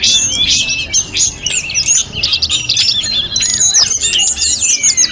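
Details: Snowy-browed flycatcher in full, nonstop song meant for training other birds. Thin, flute-like whistles and fast twittering notes sweep up and down in a crowded, unbroken stream.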